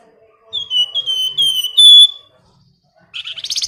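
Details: Female flamboyan bird calling the male in a 'nyiul' style: a rapid series of about six clear, slightly downslurred whistles, the last one loudest, then silence and a harsh buzzy rattling burst.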